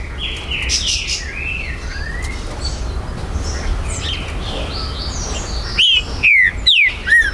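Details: Green-winged saltator at a Brazilian breeder's site, recorded September 2020, giving its territorial song. Distant mixed birdsong fills most of the recording, then a short run of loud, descending whistles closes it.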